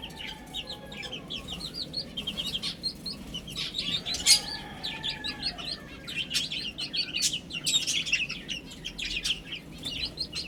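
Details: A group of chicks eating and drinking, peeping steadily in shrill, rapid, downward-slurred notes that overlap constantly, with one louder tap and faint clicks.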